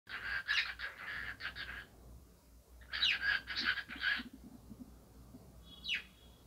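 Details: A cockatiel talking while dancing: two raspy, buzzy bursts of chattering mimicked speech, each about a second long, then a short rising whistled chirp near the end.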